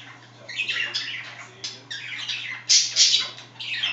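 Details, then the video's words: Pet budgerigars chattering at home, one scratching itself in its favourite spot: bursts of raspy, buzzy warbling and squawky chirps in quick uneven runs, with a steady low hum behind. "Mina undulater snackar och kliar sig"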